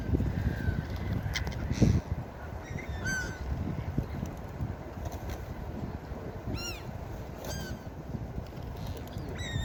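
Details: Seaside gulls heard in scattered bursts: thin, descending, laughing cries and brief yelps spread across the recording, with a steady wash of waves and wind underneath.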